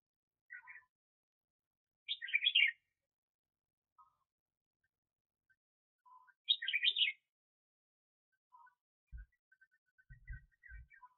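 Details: A decoy red-whiskered bulbul from the 2021 trapping season repeats a loud, brisk warbled phrase about every four seconds, with faint single notes between and a soft string of thin ticking notes plus low thumps near the end.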